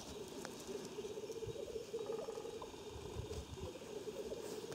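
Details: Lekking black grouse, Omsk region of Siberia near Klassino, 2018, produce a dense, rolling bubbling murmur that carries on nearly without pause, with a faint, quick series of higher clicks near the middle.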